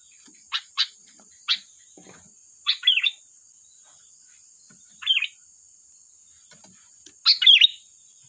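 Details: Sooty-headed bulbul song for luring and training: a few crisp single chips, then rolling bubbly phrases, the last one loudest, with a steady high whine running underneath.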